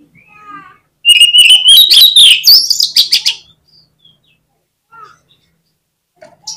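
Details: Oriental magpie-robin lure song for contest birds: a soft descending chirp, then a loud, dense burst of rising whistles and rapid notes lasting about two seconds, followed by quiet with occasional faint calls.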